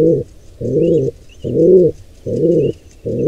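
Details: Wild pigeons at a squab's nest during an intruder pair's attack: short low coos repeated about every 0.8 seconds, faint thin chirps from other birds.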